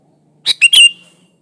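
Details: Natural, unmixed song of a sooty-headed bulbul, meant to prompt other bulbuls into singing: a single brisk phrase of three clipped, bubbly notes, the last longest and sliding downward, with a faint low hum behind.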